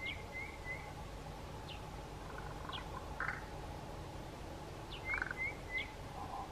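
Pied crow giving unusual calls: soft, slurred whistles in quick runs of three, plus a few hollow knocking notes, over a steady low rumble.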